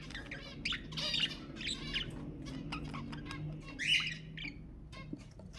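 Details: Stimulating budgerigar sounds: bursts of harmonic chirps and squawks with short pauses, a louder rising squawk near four seconds, over a low steady hum.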